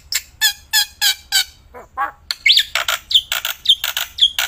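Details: Black-winged myna in full outdoor song, loud as a loudspeaker: rhythmic raspy, chattering bursts about every third of a second, a brief pause, then quicker harsh notes mixed with ringing, rising whistles.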